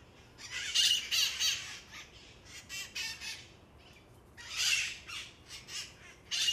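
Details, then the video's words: Noisy feral parrots, once pets now breeding wild, near Coit Tower on Telegraph Hill, San Francisco: harsh, raspy squawks in loud bursts, several overlapping, with quieter screeches between and a final loud burst. "San Francisco Parrots"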